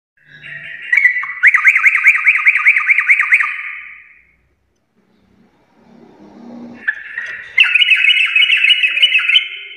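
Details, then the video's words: Sooty-headed bulbul singing energetic 'full garuda' gacor song: a long run of rapid, upswept ringing notes, a gap with faint low rustling, then another loud stream of quick, bright notes. "trucukan gacor full Garuda parah"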